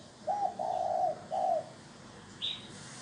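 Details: Spotted dove coo used to lure wild doves, three low, smooth, drawn-out coo notes in quick sequence, followed by a single short higher chirp from another bird.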